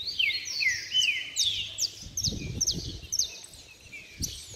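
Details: Caged saffron finches in a heated singing bout, rapid descending whistles and glittering high trills repeated quickly, with a brief low voice and thumps in the middle.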